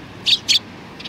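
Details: Two sharp, loud high chirps a quarter-second apart from a Eurasian tree sparrow, young birds present, 27 June 2019, followed by a faint third note.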